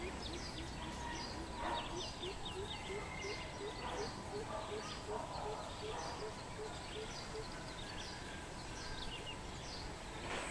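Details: Greater coucal, 13/06/2020, delivering a long series of deep booming hoots, about two per second, climbing slightly in pitch before stopping, amid a chorus of small songbirds and a constant high hiss.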